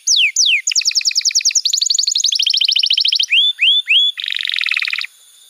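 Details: Canary song for training young birds: two falling whistles, then a rapid chattering trill in two pitches, three rising slurred whistles, and a coarse buzzing roll at the end.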